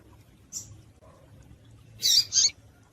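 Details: Double-collared seedeater (coleiro tui tui), a female's call used to stir up males: a faint high chip, then two loud sharp high-pitched chips close together near the end, over a quiet low hum.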